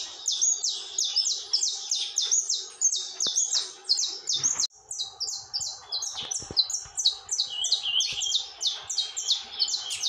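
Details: Tormento-style song of a saffron finch, sung without pause: dense runs of bright, high chipping notes tumbling downward, with one brief break near the middle, over a faint background hum.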